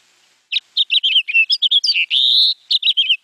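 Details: House Finch song: a quick, jumbled warble of short whistled and chirpy notes at a fast tempo with frequent pitch changes, with one longer buzzy note near the end.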